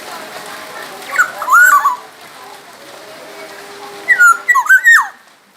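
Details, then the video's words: Black-naped oriole from Sumbawa, a vigorous singer used as a tutor for songbirds: two fluty whistled phrases about three seconds apart, each of several rich slurred notes rising and falling, over low hiss. "kepodang emas gacor | suara burung kepodang emas gacor asli sumbawa masteran kepodang emas"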